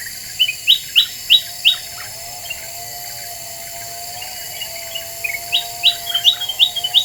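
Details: Black-winged bulbul lure song, used to provoke other birds: bright repeated notes in a quick series of four, a pause, then another run of rapid notes, over a steady low hum.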